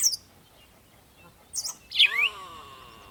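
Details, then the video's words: Birds chirping at sunrise in the morning: a high thin chirp, then after a pause two sharp descending chirps trailing into a faint lower whistled tone, over quiet background. "Morning Sunrise and Birds sound"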